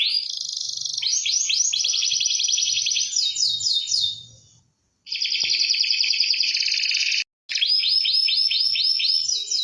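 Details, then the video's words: Canary song meant as tutor audio for birds reluctant to sing: dense rolling trills and buzzy rattles in long bursts, pausing briefly twice before resuming with stuttered rising notes. "KEnARi Gacor❓❓ Paling cocok untuk Masteran Burung Malas Bunyi"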